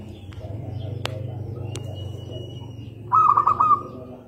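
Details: Local Indonesian zebra dove in full song. A single brief burst of rapid, rolling coos comes near the end, after a stretch of steady low hum and a few faint clicks.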